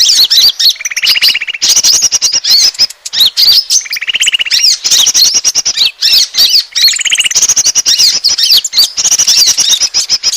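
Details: Asian glossy starling lure call, used to attract birds: dense, loud, high chirps and squeaky notes in a near-continuous stream, broken three times by short buzzy rattling trills lower in pitch.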